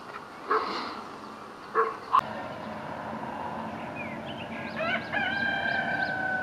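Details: Rooster in Imsil, North Jeolla Province, Korea, heard one morning. A few sharp knocks come first, then a crow begins with stepped rising notes and settles into a long held tone as the recording ends.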